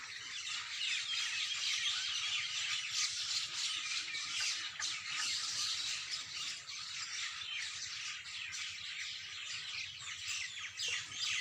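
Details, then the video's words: Many birds sing in the early morning. Dense, high chirps and squawky notes pour out at a rapid pace in a continuous chorus. "Birds Best singing in early morning"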